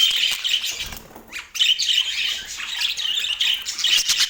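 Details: Budgerigars kept as pets in Portland give rapid high chirps and squeaky warbled notes, with a brief lull near one and a half seconds before the chatter resumes.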